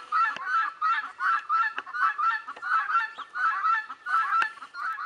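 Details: Background guineafowl near Leghorn hens, with a rhythmic chorus of coarse, scratchy calls, about three a second, punctuated by dry tapping clicks and a brief low hum at the start.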